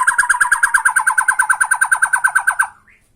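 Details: Bornean white-rumped shama in tretekan style, singing to provoke a rival: one nasal note repeated very steadily, about seven times a second, for nearly three seconds, then fading out with a faint upslurred note.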